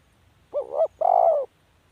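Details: A single spotted dove phrase: a short, wavering, slightly dipping coo, then a longer smooth sustained coo, low-pitched and soft. Nothing else is audible.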